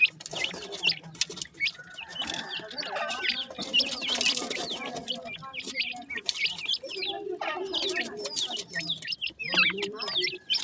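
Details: Francolin (teetar) chicks peeping together: a dense stream of thin, high, downward-slurred peeps, overlapping and constant, with soft rustling and faint clicks underneath.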